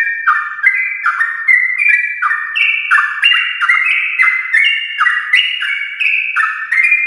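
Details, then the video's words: Yellow-vented bulbul in the morning giving long, continuous 'ropel' song meant to stimulate other bulbuls: a fast, unbroken chain of short whistled notes, each dropping and rising in a stepped, bubbling pattern, loud and clean. "trucukan gacor ropel panjang Perangsang biar trucuk aktif ropel saat pagi hari"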